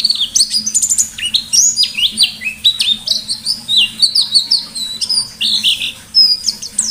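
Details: White-eye singing actively forest-style with sharp shooting phrases as a lure: a long, rapid, unbroken stream of high chirps and whistled slurs, bright and varied, over a faint low hum.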